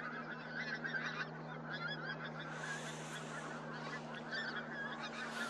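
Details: Many pink-footed geese at Starene, 2023, calling together in a steady babble of overlapping honks and yelps, softer and more distant, with a low mechanical hum throughout.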